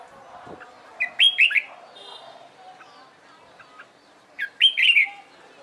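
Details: Red-whiskered bulbul in competition singing practice: two separate bursts of sweet, quick whistled notes about three seconds apart, with faint chirps and low murmurs between.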